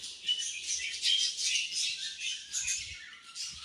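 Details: A flock of pet budgerigars at morning feeding time, chattering continuously in thin, high, warbling chirps and squeaky twitters, fairly soft and steady throughout.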